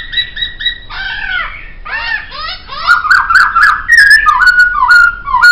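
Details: Training recording of a laughingthrush (poksay) singing: a run of harmonic, chattering notes sliding downward, then bright squeaky whistles and sharp clicks that speed up toward the end.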